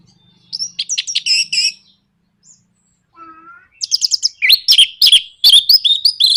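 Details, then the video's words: Orange-headed thrush in a 'nraktak konslet' bait song to spur other birds into singing: a chattering phrase, soft whistles, then a loud, fast, harsh run of stuttering notes. "PANCINGAN NRAKTAK KONSLET ANIS MERAH"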